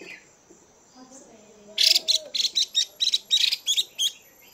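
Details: A female Chinese hwamei calls to rouse males with the chùi style: a quiet start with faint murmuring, then a rapid series of around ten loud, sharp, high chirps.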